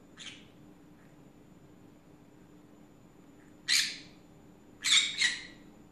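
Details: Green-cheeked conure kept as a pet, ranting in the afternoon: a faint squawk, a long gap, then a loud rasp followed by a quick double squawk.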